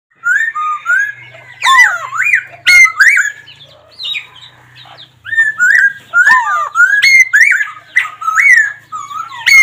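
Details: Laughingthrush singing loud, clear whistled phrases: rising and falling slurred notes in quick bursts, with brief pauses and sharp high chips between phrases.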